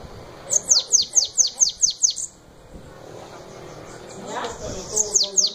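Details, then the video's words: Bananaquit (sibite) singing the 'belga' song style: a run of eight high, thin notes, each sweeping sharply downward, delivered rapidly over about two seconds. Quiet background murmur and faint voices follow, with two more descending notes at the end. "Sibite batendo belga original"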